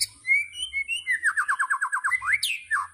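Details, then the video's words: White-rumped shama (murai batu) singing a tembakan burst: a few clear whistled notes, then a fast run of about ten repeated mid-pitched chopped notes, ending in rising and falling slurred whistles. A steady high hiss sits behind. "Tembakan Murai Batu Yang Membuat Kita Tidak Bosan Menontonnya Berkali-kali || WHITE RUMPED SHAMA"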